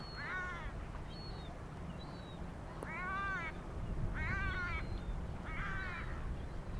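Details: European herring gull (Larus argentatus) in Świnoujście, Poland, on 27 September 2022, giving four nasal, mewing, slightly downslurred calls about every second and a half, with faint thin high notes and a steady low rumble behind.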